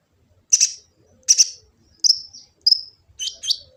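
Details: Kolibri ninja sunbird in Gresik, East Java, used for tutoring captive birds: five loud, harsh, high chips spaced under a second apart, the last pair quickly doubled, recorded on an Android phone.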